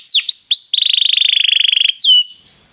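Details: Belgian canary singing to warm up a canary: a few looping slurred whistles lead into a fast, even rolling trill lasting over a second, ending with one falling whistle and fading.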